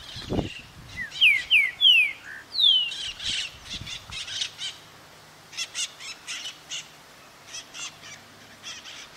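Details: Green-winged saltator filmed at a pousada in Vargem Bonita, Minas Gerais, Brazil: a phrase of loud, clear, downslurred whistles, followed by a string of scratchy chirps from other small birds and a thump at the start.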